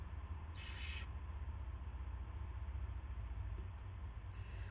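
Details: Owl at the nest before dawn on 9 March 2016, with a rat brought in: one clear harsh hissing burst, then the start of another near the end, above continuous low-pitched hum.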